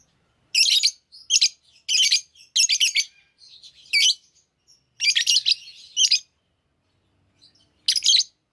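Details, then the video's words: Lovebirds chirping: short bursts of harsh, high chattering chirps in clusters, with brief quiet gaps between them and a longer pause before a final burst. "lovebirds singing &chirping sounds"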